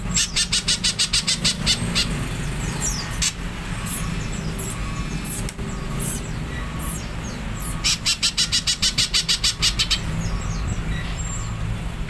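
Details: Greater green leafbird repeating its harsh 'nyerecet' chatter: long trains of rapid, evenly spaced buzzy pulses, a few scattered rasps between runs, and another extended rattle near the end, over steady low background rumble.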